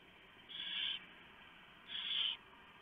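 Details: At a barn owl nest around 4 AM, 3 November 2015, the male brings a huge mouse and the female feeds shredded pieces to the owlets. Two loud, rough hissing shrieks of about half a second each, separated by a one-second gap.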